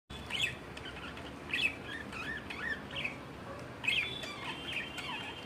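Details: Budgerigars chatter with quick warbling chirps and squeaky notes in bursts.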